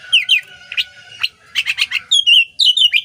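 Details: Oriental magpie-robin song for training songbirds: short bright whistled notes and twittering clusters, ending in warbled sliding phrases.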